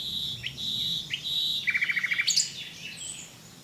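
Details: Common nightingale singing: two rising whistled slurs, then a rapid run of about ten evenly spaced repeated notes finishing in a sharp high flourish, followed by quieter distant bird notes.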